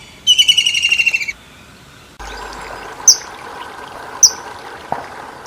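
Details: Kingfisher giving a loud, fast pulsed trill for about a second, slightly falling in pitch. A quiet gap follows, then a steady background hum with a few sharp, high chirps.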